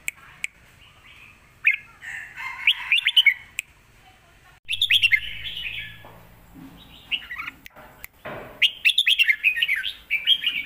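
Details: Fierce lak wai song of a caged red-whiskered bulbul, full master phrases for teaching young birds: repeated lively bursts of warbled, bubbling notes with short pauses, and a brief low hum in the background midway.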